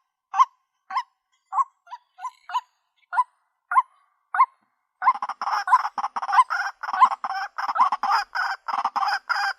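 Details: White-breasted waterhen, female, calling to find a mate: sparse short croaks at first, then a sudden rapid run of loud harsh rasping notes.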